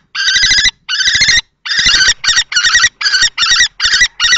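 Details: Nest-box fight at Théding, France, 20 March 2024: an adult male common kestrel determined to deter a younger male, a female nearby. Two drawn-out grating screams lead into a faster run of short, harsh repeated notes.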